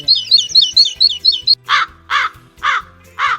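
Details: A crow gives four harsh, hoarse caws spaced about half a second apart, following a quick run of high, thin chirps from another bird; presented among winter birds.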